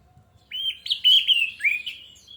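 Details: Short burst of orange-headed thrush song for luring birds to sing: a rapid, loud run of connected whistled and warbled notes after near silence.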